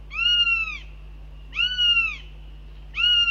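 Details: Northern goshawks at the nest during breakfast, scolding the male who dropped in; three drawn-out, wailing harmonic calls, each under a second and arching slightly in pitch, repeated about every 1.4 seconds over a low steady hum.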